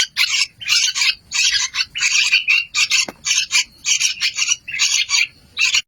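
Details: Young yellow-vented bulbul chicks calling with loud, grating, noisy bursts, each lasting about a third of a second and repeated almost back to back. A short squeaky note sounds partway through.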